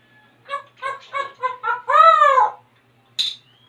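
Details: Talking African grey parrot kept as a pet, copying animal sounds when asked: five quick clipped syllables lead into a long arching harmonic call, followed by a single sharp high click.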